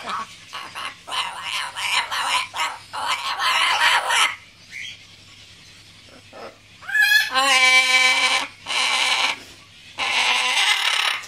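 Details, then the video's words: Macaw calling in choppy, grating bursts reminiscent of a dot matrix printer, then a longer, louder, harmonic squawk near the middle and more rasping bursts at the end, over a faint low hum. "Dot Matrix Macaw"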